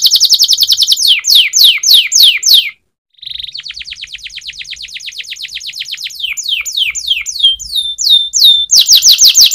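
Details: Canary performing a training song: bright trills of falling notes, a brief pause, then a fine rapid rattle building into varied whistled phrases and strong sweeping trills.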